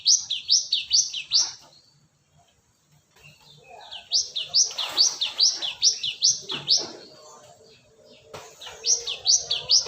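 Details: Cinereous tit from Indonesia, played as a lure: repeated phrases of bright, high notes that drop and rise, about two per second, in three bouts separated by brief pauses.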